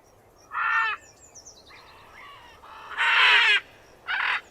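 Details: Macaw squawks: harsh, raspy screeches of about half a second each, one loud burst near the middle, with fainter chattering between them.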